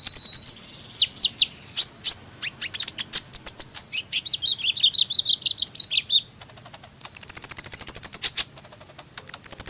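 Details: Extended sunbird song: quick high chips and squeaky slurred notes run into a rapid twittering sequence, then a long fast buzzy trill of very high ticking notes near the end.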